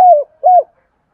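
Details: Decoy spotted dove calling to attract wild doves: two short, mellow coos, each gliding slightly downward, separated by a brief gap.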